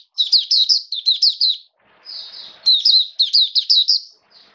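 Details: An Oriental white-eye in rainy-season conditions gives lively bursts of sharp, high warbling notes strung together quickly, pausing briefly before another fast phrase; faint soft rustle in the gap.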